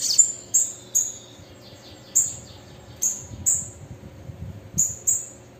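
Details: Sibite (Bananaquit), a female, calling and singing: short, very high, thin notes near the top of the range, given singly or in quick pairs at irregular intervals, with faint low background hum.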